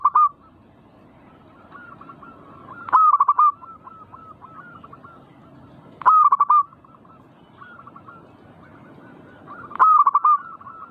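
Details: Perkutut, or zebra dove, in manggung song intended to provoke singing. Four strong phrases of rapid rolling coos arrive roughly every three seconds. Softer answering coos from more doves run in between.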